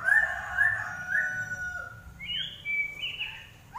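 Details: Common iora singing softly, with drawn-out slurred whistles repeated about twice a second, then higher sliding whistled notes over a faint background hum.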